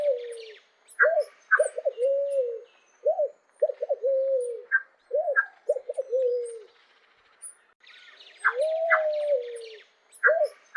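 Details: Low cooing phrases from a pale-vented pigeon, each made of quick clipped notes that slide into a drawn-out falling coo, repeated about every one and a half seconds, then a long sustained coo.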